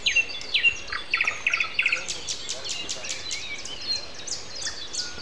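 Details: Common nightingale singing at 7:55 on a Sunday morning, April 29, having started in mid-April that year; loud repeated pulsed notes in quick bursts, then a dry rattling series, with other birds chirping in the background.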